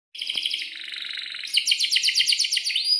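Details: Canary in breeding mood singing energetically, with long rolling trills and sharp chirps used to lure and tutor young canaries. Shrill rapid trills run continuously, then shift to a faster, higher series of rising notes.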